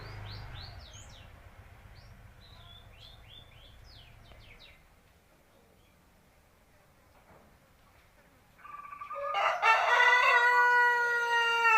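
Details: Indonesian native village chicken, seven months old. Soft chirps of small birds and a low rumble come first, then a quiet stretch, before a loud, harmonic crow bursts in for the final three seconds.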